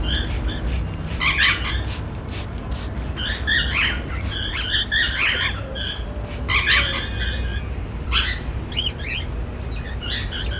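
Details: Pair of normal grey cockatiels, male and female, giving happy sounds: scattered short chirps and warbled whistles in loose clusters over ten seconds, some quick rasping clicks, against a constant low hum.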